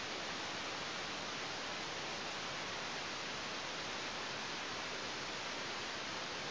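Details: Steady broadband hiss fills the whole recording with no animal voice.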